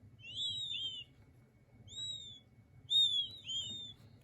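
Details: King quail chicks peep in clear, high whistled notes, some doubled or overlapping from more than one chick, in three bursts across four seconds over a faint low hum.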